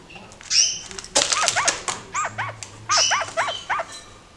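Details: A caged pair of kakariki jumping about and playing in a roomier cage; rapid chattering bursts of short arched notes, four or five in quick series, repeated twice, with high squeaky chirps before them.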